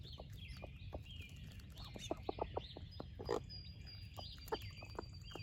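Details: Broody hen, a splash laced red Wyandotte, utters scattered soft clucks with a quick cluster in the middle while sharing breakfast with her chicks, whose high upslurred peeps run throughout over a low background rumble.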